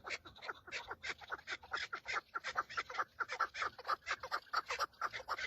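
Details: Several male Chukar partridges calling on Mount Bamo, Kurdistan, fighting and displaying to females in the breeding season; rapid repeated harsh clucking notes in a steady chattering stream of overlapping voices.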